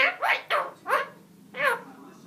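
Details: A parrot making short, cute sounds: five harmonic, bark-like syllables that rise and fall, spaced roughly every half second with a pause before the last, recorded in a quiet indoor space.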